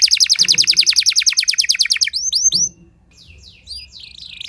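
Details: Early-morning training song of a Timbrado canary: a rapid string of high descending notes, then a few looping upswept whistles, a brief pause and softer chirps.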